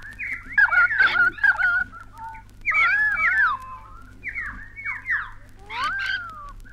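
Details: A bellbird from a 1968 Australian wildlife record gives bursts of liquid, slurred whistles and gurgling notes, a new phrase every second or two, over a low steady hum.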